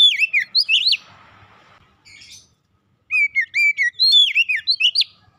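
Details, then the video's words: Oriental magpie-robin sings loud, varied whistled phrases that swoop up and down, mixed with sharp high chirps and broken by a short quiet pause; a song meant to get pet magpie-robins singing. "kicauan indah memancing suara Kacer rumahan ikut gacor"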